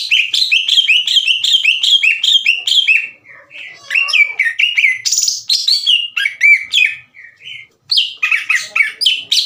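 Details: Caged greater green leafbird singing loudly and aggressively, challenging other leafbirds to fight; a rapid string of sharp whistled chirps and downslurred notes, with a few buzzy bursts and scratchy phrases.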